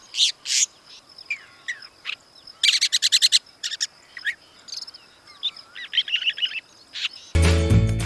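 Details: Long-tailed (rufous-backed) Shrike, Lanius schach, in Sri Lanka, a capable vocal mimic, giving harsh, rasping chatters in quick bursts mixed with short whistled and squeaky notes, about three a second. Music comes in at the end.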